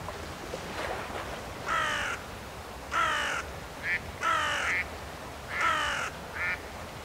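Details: Mallard at Roshchino, Leningrad Oblast, 23 September 2020: harsh, raspy quacks about half a second long roughly every 1.3 seconds, some followed by a shorter clipped note, over faint steady hiss.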